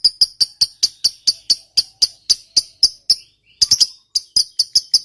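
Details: Lovebird's long ngekek trill, used as a provocation for other lovebirds: a fast series of sharp, high chips, briefly pausing halfway, then resuming at the same quick rhythm.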